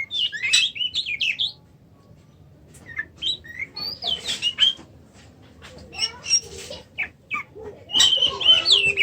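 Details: Oriental magpie-robin, known as kacer, sings rapid, jumbled whistled phrases and chirps in bursts separated by short quiet spells.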